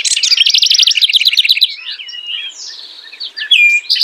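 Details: Rapid, evenly pulsed high trill from a house wren, then a softer sweep and a couple of bright whistled notes; the bubbly nesting-season song.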